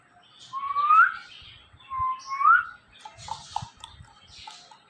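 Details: Ringneck parrot at home gives two long upward-sliding whistles about a second and a half apart, followed by soft scattered clicks and rustling.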